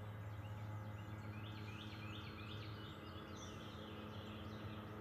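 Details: Bald eagle at the NCTC nest on May 15, 2024, bringing prey to the nest: a faint series of high, thin, descending piping notes repeated quickly, over a steady low rumble of background noise.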